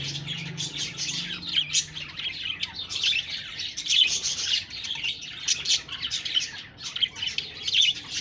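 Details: Pet budgies talking and chirping in a steady stream of high, buzzy warbled phrases and sharp tweets, several birds overlapping, with small peaks of louder squeaks every second or so.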